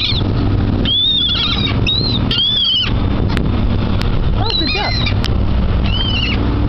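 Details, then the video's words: At a dockside crowded with seagulls, shrill arched squeals repeat every second or so, some in quick pairs, above constant low mechanical hum. "Seagulls at the Dock (Beware the Annoying Sounds!)"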